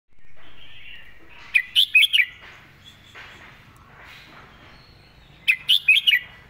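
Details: Caged red-whiskered bulbul singing the clearly phrased 'mae bot' master song style: two bright, rapid phrases of four to five sharp whistled notes, about four seconds apart, over faint background murmur.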